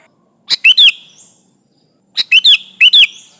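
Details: Sooty-headed bulbul calling rivals, a lure recording: two loud bubbly phrases, each of three quick notes with a dropping whistled slur, separated by a short pause.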